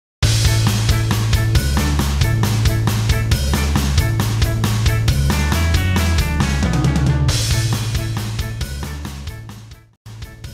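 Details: Loud, heavy rock music fills the whole clip, with a pounding drum kit, deep bass and distorted guitar, and no animal voice anywhere.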